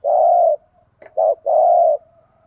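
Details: Lure spotted dove calling 'thúc gù' to draw in wild birds: a long steady low coo, a quick short note, then another long drawn coo, all deep and hollow.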